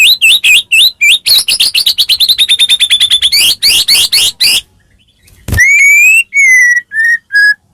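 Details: White-rumped shama song used as a master recording to prompt other shamas to answer: loud, varied whistled phrases, rapid repeated upswept notes, then clear sliding whistles after a sharp click.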